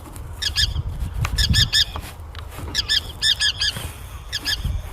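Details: Forster's Tern, a medium-sized tern often confused with the common tern: harsh, grating calls in quick bursts of two or three notes, repeated several times, over a low rumble.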